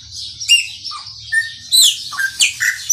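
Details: Maranhãozinho song from a chopi blackbird, whistled level notes and steep falling slurs, building to a louder burst of rich notes near the end, over a low hum.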